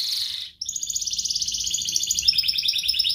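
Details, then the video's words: Gacor canary song used to spur other canaries: a brief buzzy roll, a short pause, then a long, even rapid trill that climbs slightly and keeps pulsing to the end. "Kenari Gacor Ngerek Menekan Lawan Ahlinya pancingan Kenari paud belajar Bunyi dan Kenari Malas Bunyi"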